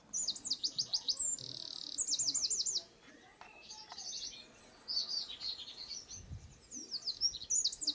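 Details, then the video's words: Eurasian wren singing: very high, rapid phrases of looping trills and a brief buzzy stretch, broken by a pause of about two seconds before more tumbling high notes; faint low background noise. "EL CHOCHÍN. CANTO Y ALARMA."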